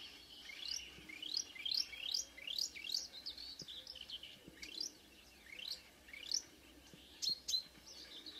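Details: Early-morning Marsh warbler singing near Ski, Norway, on 2 June 2009 at 05:00, a couple of singers present. A fast series of rising whistled sweeps comes in bursts, broken by short pauses and a few sharp high notes.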